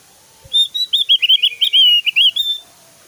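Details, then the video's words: Javan grey-throated white-eye singing actively, its song described as varied whistles with very loud, long rapid bursts. Here a loud run of about a dozen quick, slurred whistled notes, wavering up and down, lasts two seconds. "SUARA SIULAN JUGA TEMBAKAN 💯 DAHSYAT BURUNG OPIOR JAWA GACOR"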